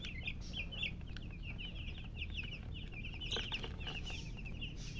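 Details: Young chicken chicks giving quick, high-pitched cheeping notes in steady series over a low rumbling background.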